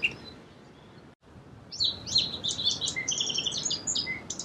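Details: After a quiet start with faint background hiss, a song sparrow breaks into a rapid, tumbling series of high sharp notes and trills lasting about three seconds.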